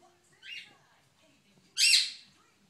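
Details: A 6-month-old female pet monk (quaker) parakeet, talking to the dog, gives two harsh, scratchy squawks about a second apart, the second much louder and longer; the room is otherwise quiet.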